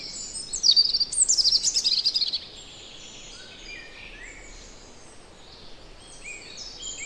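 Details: Song of a European robin recorded in the Netherlands: a clear, high, tumbling phrase of trills and thin notes lasting nearly two seconds, followed by a soft backdrop of other birds chirping far off.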